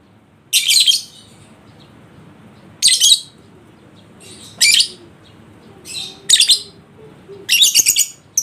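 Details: Lovebird lure for a bird reluctant to sing ngekek: repeated grating high chatter bursts every one to two seconds, some doubled, building toward the end, over a quiet room.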